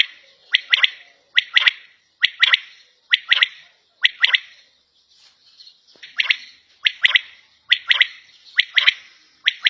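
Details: A quail kept at home gives harsh, scratchy calls in quick pairs and triplets, repeated at a steady pace, with brief quiet gaps between bouts.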